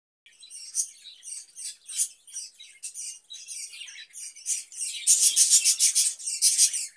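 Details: Caged budgerigar fed cucumber in summer, giving dense, scratchy warbling chatter in quick bursts about three per second, growing louder and fuller in the final two seconds.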